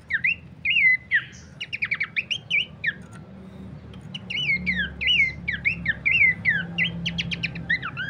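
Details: Horsfield's babbler, recorded as a lure and master song for bird training, gives clusters of sharp slurred whistles and rapid clipped notes, pausing briefly midway before resuming densely, over low background hum.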